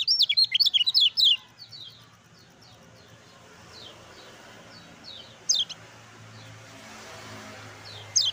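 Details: Song of a kept Lemon-bellied white-eye, played to make sluggish birds sing. A fast, loud run of high, down-slurred notes lasts just over a second, then faint chips and two isolated sharp calls follow.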